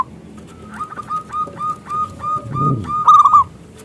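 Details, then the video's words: Local zebra dove with a big voice used to entice other doves to sing: soft evenly repeated cooing notes building to a loud rolling coo at the end, with a low rumble in the background. "Perkutut Lokal Gacor suara Besar pancingan perkutut"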